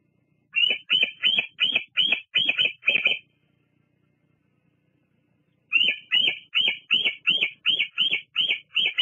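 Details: Bald eagle at the nest at Fraser Point on a July 2022 evening, live nest cam: two bursts of rapid, high, piping chatter, each about eight or nine squeaky notes, separated by a few seconds of quiet.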